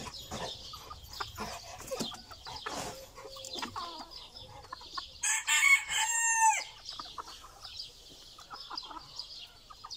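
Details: Brahma ornamental chicken, Gold Zibrit variety, from a 2020 flock in Istanbul, Turkey; a rooster gives a short crow midway, a rising then falling harsh cry of about a second, amid scattered clucks and yard noise.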